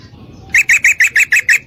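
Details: Mating call of a female Yellow-vented Bulbul summoning a male: seven loud, clipped chirps in steady rhythm, roughly seven per second, over a quiet low murmur.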